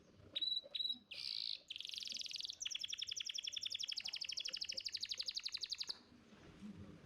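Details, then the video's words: Contest-champion canary singing a tutor song for young birds: two short whistles, a dense buzzy roll, then a long, fast, even trill of sharp high notes lasting about three seconds before stopping. "Pancingan Kenari Muda Cepat Bunyi & Ngeriwik – Masteran Kenari Juara Gantangan"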